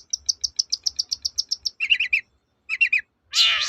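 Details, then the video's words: Long-tailed shrike, song used to draw other shrikes into singing: a fast, even string of about a dozen high ticking notes, then two groups of lower trilled chirps and a final long harsh buzz. "BURUNG CENDET GACOR TOET-TOET"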